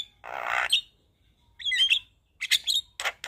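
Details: Javan myna singing lively 'isian' fill-in phrases, used to make silent mynas respond; a long harsh hissing rasp, then a few whistled slurs and short scratchy bursts.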